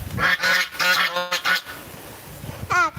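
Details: Domestic geese, said to be "singing" in strong wind while unfed and looking for food, give a run of nasal, harmonic honks in the first second and a half, then one rising honk near the end; a person speaks nearby.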